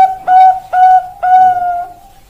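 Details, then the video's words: Bangkok-type zebra dove song: two short, ringing coos followed by a long, drawn-out flat note that tails away, in a quiet room-like setting. "Perkutut Bangkok Suara Top Markotop"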